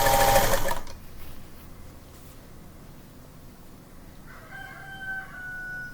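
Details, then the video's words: A rooster crows repeatedly outside in the early morning around sunrise in late September; here one drawn-out harmonic crow in the distance follows a loud mechanical clatter from a sewing machine. "But you hear that rooster out there crowing? He's just crowing his head off. Crow, crow, crow."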